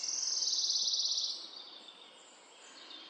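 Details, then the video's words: Morning forest birdsong opening with a loud, bright, rapid high trill lasting just over a second, then fading to faint distant twittering over a soft background hiss. "poranek w lesie śpiew ptaków"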